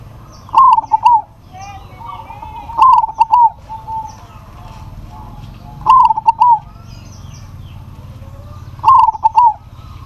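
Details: Local zebra dove calling to a rival that answers; four bursts of bright, bubbling coos around one kilohertz, each a quick stuttered phrase ending in a drawn note, repeated every three seconds, faint chirps of other birds behind.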